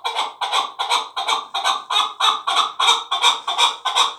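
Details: Last year's chick of a fighting chukar partridge delivering fast, even, repeated chuk notes, nearly three per second for over four seconds, loud and rasping with a throaty ring.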